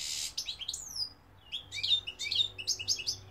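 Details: Goldfinch song, Algerian mqnin: a harsh hissing note, then a clear drawn-out falling whistle, followed by a run of quick high tinkling twitters.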